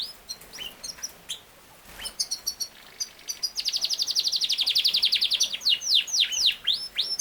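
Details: Singing Yorkshire canary, called king size canary: scattered high chirps at first, then a long fast rattling trill of high notes, ending in loud swooping downward whistles.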